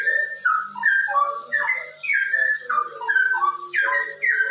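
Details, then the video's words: Rapid 'ropel' singing of a straw-headed bulbul, played to coax other bulbuls into song: fluid, loud whistles stepping down in pitch, tumbling phrases in quick succession over a low, wavering undertone. "suara cucak rowo ropel ini sangat cocok untuk masteran dan pancingan cucak rowo"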